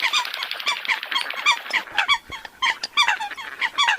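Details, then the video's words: Eurasian coots give rapid, overlapping short nasal honks in a busy, chattering sequence that carries on without pause for four seconds. "tiếng chim sâm cầm"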